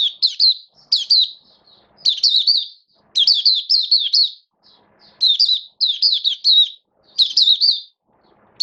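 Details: Oriental white-eye (mata puteh), a kept songbird in build-up form, 19 September 2022, singing clean high phrases of three to six quick chirped notes, repeated about once a second with short silent gaps.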